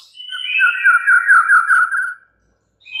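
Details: White-rumped shama song: a rich whistled phrase, one high note sliding into a run of wavering, warbled mid-pitched whistles lasting about two seconds, then a brief pause before another note begins.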